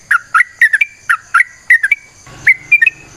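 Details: Yellow-vented bulbul (trucukan) song recorded as a lure to make other birds sing: quick paired liquid whistled notes dropping then rising, with short pauses between bursts; a brief low rumble midway and a steady high hiss behind.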